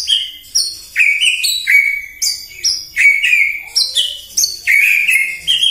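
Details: Provoking morning song of a white-rumped shama, in full nonstop voice: a steady sequence of loud, crisp whistled notes, each starting with a sharp click and dropping in pitch, about a dozen in succession.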